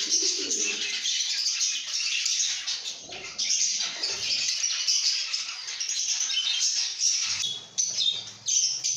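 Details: A flock of lovebirds making happy sounds in a good mood, with busy overlapping high-pitched chirps, squeaks and twittering running almost without pause, briefly dipping quieter near the end.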